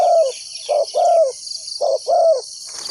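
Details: Spotted dove decoy calling to trap wild doves: three clear coo pairs, each a brief note followed by a longer descending coo, over a high insect whine, ending with a rustling noise.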